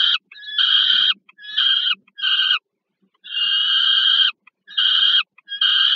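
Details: Adult peregrine falcon bringing food to a young bird at Żerań, Warsaw, Poland, summer 2022: bursts of harsh screeching, first three quick calls, a pause, then a longer drawn-out scream followed by two more.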